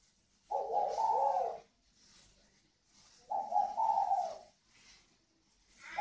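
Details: Pair of spotted doves of the northern Vietnamese native type, kept birds known for a resonant 'còi vang' call. Two smooth, hoarse coos, each about a second long, spaced roughly three seconds apart.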